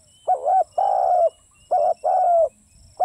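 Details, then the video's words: Spotted dove coo phrases, each a short two-part note followed by a longer steady coo that slips down at its end, repeated twice with a third beginning. "เสียงนกเขาใหญ่ นกเขาใหญ่"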